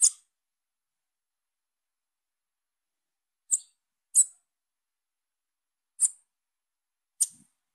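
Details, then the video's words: Five short, piercing high notes from a young female Bananaquit calling, widely and irregularly spaced over eight seconds, with long silent gaps between them. "FÊMEA DE SIBITE NOVINHA CHAMANDO"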